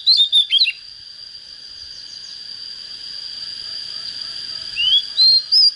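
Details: Young Oriental magpie-robin: a burst of short whistled notes opens, then a long pause, then a rising whistle and two more clear notes near the end, with a steady high tone throughout.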